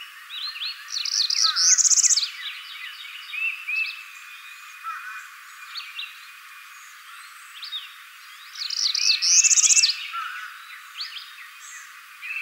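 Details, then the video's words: Northern parula singing in spring 2014, at Crystal Bridges Museum of American Art in Bentonville, Arkansas, or Land Between the Lakes, Kentucky; a buzzy trill rising steeply to a sharp high ending, given twice about eight seconds apart, amid other birds' chirps. "Northern Parula"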